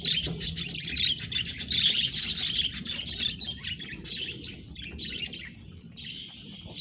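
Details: A few pet budgerigars twitter in quick, high, chirpy warbles that grow quieter toward the end, over a faint low hum at the start.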